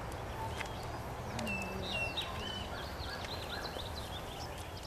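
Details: Striped cuckoo recorded 5 December 2015, giving clear, pure whistled notes held steady on one pitch, over busy high twittering from other birds and a low background rumble.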